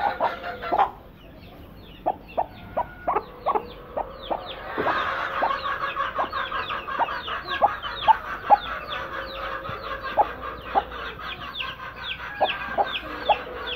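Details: Broody hens, two sitting together, with sharp spaced clucks at first, then a steady stream of rapid low grumbling clucks punctuated by louder single notes.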